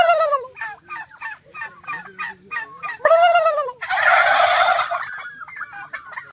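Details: Turkeys in a group outdoors, prompted by a man gobbling, give a quick series of short rattling clucks, then a louder descending gobble and a harsh noisy chorus burst, fading into scattered calls.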